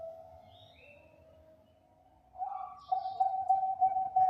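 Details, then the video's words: Bangkok-type zebra dove, a champion singer, cooing to lure other zebra doves: a faint, steady hollow tone at first, then a louder, sustained mellow coo with brief breaks near the end. Faint chirps from other birds sound behind it. "PERKUTUT BANGKOK JUARA SUARA JOS UNTUK PANCINGAN PERKUTUT BANGKOK LAIN"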